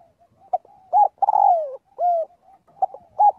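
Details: Spotted dove giving a flock call during daily voice training. One complete phrase: brief clipped coos, a long throaty coo descending in pitch, a smooth arched note, then more short coos.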